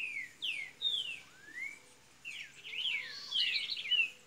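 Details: Double-collared seedeater from Minas Gerais opening its golinha song: slurred whistles falling and rising, then a tumbling phrase of quick high notes, heard against steady low background noise.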